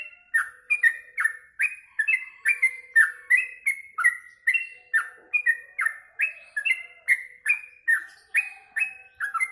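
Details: After feeding on mealworms, a caged yellow-vented bulbul sings continuously: rapid, chattering bubbly whistles repeated about two to three times per second, rising and falling in short bursts.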